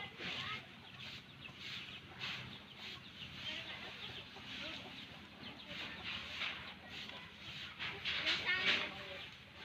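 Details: Nestling crows at feeding time, calling in rapid, pulsing chatters of hoarse, buzzy notes that swell toward the end, with the loudest squawks near eight to nine seconds and a soft rumble underneath.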